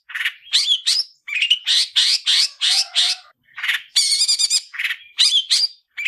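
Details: Long-tailed shrike giving its fighting-style song for training other shrikes: busy harsh chatter, buzzy trills and twangy whistled notes in close-packed phrases with short gaps.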